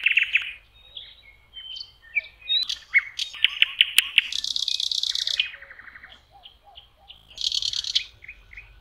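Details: In May on a lake shore, a common nightingale sings: a buzzy opening note, whistled slurs, sharp clicks, then long rasping rattles and a soft series of repeated piping notes.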